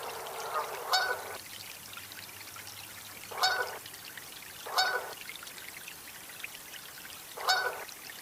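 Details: Canada goose honks: four loud, harsh, buzzy blasts spaced irregularly over eight seconds, each short with a rough, noisy tone, against a steady low background hum.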